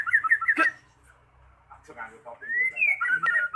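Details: Magpie-robin singing as a lure to set a quiet bird off: quick warbled whistles, a sharp harsh note, then a long upward-sliding whistle into more rich phrases.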